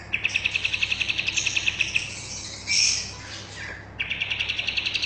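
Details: Bulbul singing in lively form as a tutor recording for caged birds. A fast, even trill of sharp chirps runs for two seconds, then a loud burst and another rapid chirping run.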